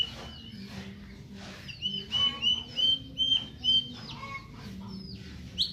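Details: White-rumped shama from Medan in a short burst of five or six rapid, bright repeated whistled notes, surrounded by softer rustling and scratchy sounds and a low hum.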